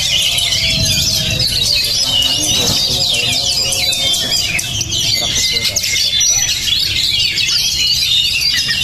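Oriental magpie-robin singing in a dense, unbroken run of high, rapid whistles, chips and scratchy notes, with other chirping birds and faint voices behind.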